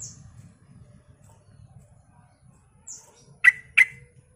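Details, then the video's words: Sooty-headed bulbul singing keenly, used to provoke responses from others of its kind: a steady low hum, a thin high squeak, then a pair of sharp emphatic chirps near the end. "suara pancingan trucukan gacor"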